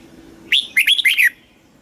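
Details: Red-whiskered bulbul, a southern Thai master-style song played to stimulate caged birds and teach young birds: a short phrase of four or five loud rich warbled notes dipping and rising, lasting under a second.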